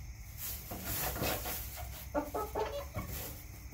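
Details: Backyard chickens clucking: a run of short, nasal, harmonic clucks in the second half, closely spaced and uneven, over low rumbling background noise.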